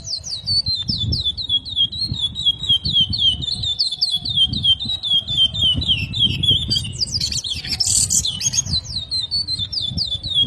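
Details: Chestnut-bellied seed finch, called curió and described as a 'mega repetidor', sings long rapid runs of short, high whistled down-slurred notes, several per second, with a brief harsher burst near the end over steady low rumbling background noise.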